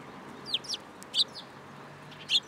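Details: Sparrows hopping onto a person's hand at a Tenmangu shrine on 8 July 2022 give loud, piercing chirps, a cluster of three quick notes followed by a single emphatic one, over quiet background noise.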